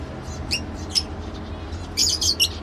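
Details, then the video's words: Two separate high squeaky lovebird notes followed by a quick burst of three or four shrill chirps near the end. "love bird sounds"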